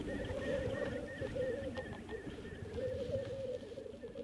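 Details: Black grouse bubbling at a lek in Teesdale, North Pennines, UK, during the mating display: a low, rapid, pulsing rolling coo runs throughout, with a faint repeated higher note and a rumbling background.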